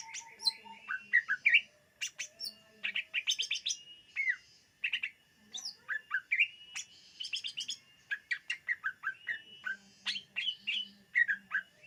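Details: Greater green leafbird singing to lure other birds: a varied, rich medley of bright chirps, quick trills and slurred whistles in bursts, with brief pauses between phrases and short rapid note clusters.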